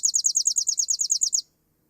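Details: Chipping Sparrow song, a single note repeated in a pulsing series and less musical than Pine Warbler: a dry, even trill of about thirteen quick, high, downslurred chips, roughly nine per second, lasting under a second and a half.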